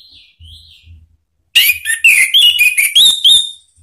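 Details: Orange-headed thrush song used as a lure to make other birds answer: a loud burst of varied whistled and chattering phrases after about 1.5 seconds of quiet, with faint thin whistles before it.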